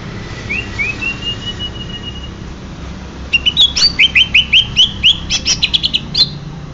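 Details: Banyuwangi-type greater green leafbird: a drawn-out, slightly rising whistle, then a fast run of bright, clipped chirps and downslurred twitters lasting about three seconds, with low hum beneath.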